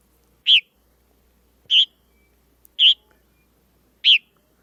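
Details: A purple martin, a bird nesting at a local fill, gives four short, clear "keer" calls, each a brief burred chirp, spaced about a second apart against a quiet background.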